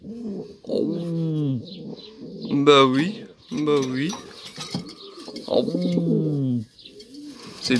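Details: Racing pigeon cooing in irregular bursts: short gurgling arched notes and longer rolling coos, with a sharp click partway through and scuffling between calls.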